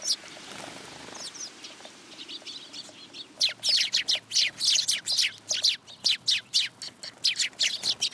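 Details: A flock of sparrows crowding in for food at a Tenmangū shrine, 10 July 2022; scattered chirps at first, then a dense, steady stream of sharp, high tweets from about three seconds on.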